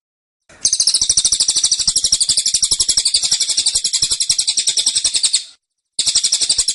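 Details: A caged cililin fires off its dense, pushy tembakan song, five seconds of fast, high, buzzy-edged chirps repeated about four per second, then a pause and another burst.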